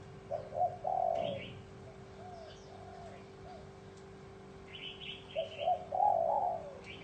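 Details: Spotted dove in the bronze-bell style, cooing to attract wild doves and excite both sexes; two soft, rolling coo phrases separated by a quiet stretch, with quick twittering chirps from small birds and a low hum.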